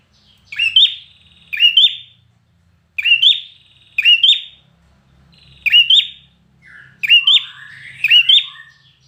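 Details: Red-whiskered bulbul trained to win singing contests gives paired bright chirps with rising flicks, pairs spaced about a second and a half apart, ending with a busier burst with lower warbled notes.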